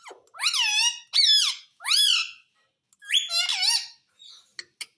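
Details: Talking pet parrot saying mummy and papa indoors; four loud, squeaky harmonic syllables with curving, rising then falling pitch, delivered in quick succession.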